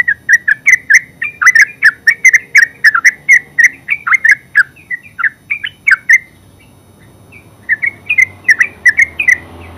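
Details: Terucuk, the yellow-vented bulbul, in full ngeropel song: fast chattering series of liquid whistled notes, roughly three per second, breaking into a two-second gap before resuming with scattered higher notes and a low rumble underneath.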